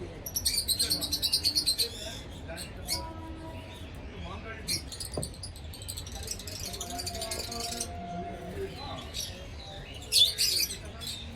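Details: A pair of yellow African lovebirds give a fast run of high, shrill chirps in the first two seconds, then scattered sharp squeaks, with a person's voice and background noise.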